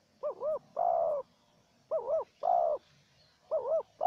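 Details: Wild spotted dove calling against a trapper's decoy bird: three repeated phrases about every 1.6 seconds, each a quick two-beat wavering coo leading into a long, full, level coo.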